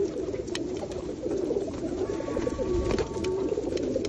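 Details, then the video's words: Close, continuous throaty cooing from a flock of feral pigeons being fed at Osu Kannon on a wet day in 2021, the rolling low coos overlapping steadily throughout. "【ハト】full ver 大須観音 ハトのエサやり2021 雨天"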